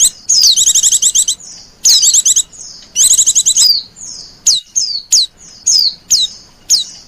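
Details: Oriental white-eye lure call for attracting wild birds: high, thin, rapid twittering trills in three bursts of about a second each, then a series of short sharp descending chirps repeated roughly every half second, with no other sounds.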